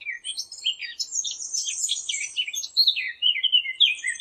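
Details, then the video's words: Dense bird chirping: rapid, high-pitched twitters tumbling over one another without a break, ending in clearer downward-sliding whistled notes. "نصف ساعة من صوت العصافير الجميل ، Yarım saat kuş cıvıltısı ، Half an hour of birds chirping"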